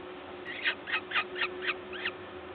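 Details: Peregrine falcon at a nest in Gdańsk, Poland, 14 May 2022 around 11:07, during feeding by a parent; a quick series of six short, harsh chattering notes about four per second over a constant hum.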